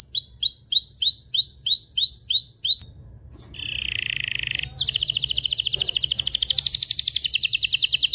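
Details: Canary singing excitedly to stimulate mating in both sexes: a row of looping upward-hooked notes, a short pause, a low buzzy rolling tour, then a long fast trill.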